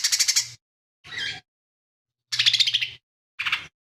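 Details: Actively singing lesser green leafbird, its repertoire holding imitations of fighting sparrows, kingfisher and cililin. Short bursts of high, harsh, rapidly pulsed chatter are broken by a thinner scratchy phrase and long silent gaps.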